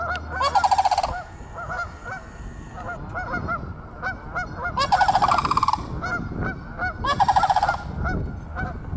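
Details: Sandhill cranes walking behind a yard on February 22, giving loud rolling, rattling calls in three bursts. Many short, nasal Canada goose honks repeat steadily in the background throughout.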